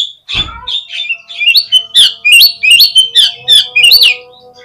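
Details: Oriental magpie-robin song played to prompt birds to respond and spread their tails; a string of squeaky, rising whistled phrases repeated roughly every half second over a faint steady hum.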